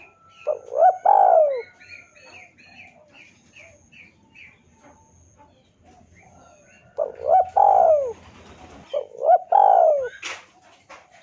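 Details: Spotted dove lure call meant to draw a rival into answering: three bursts of rolling, throaty coos with a downward-sliding final note, separated by pauses. Faint high chirps from other small birds sound in between.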